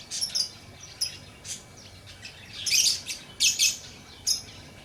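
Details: Chirping lovebird giving short high chirps at irregular spacing, building to a couple of loud, harsh, rasping bursts toward the end.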